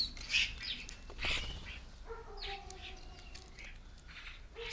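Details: Common starlings feeding noisily at a garden bird table for lunch; loud harsh squawks and scratchy notes open the scene, then a sustained nasal, buzzy whine with overtones, followed by more rasping chatter.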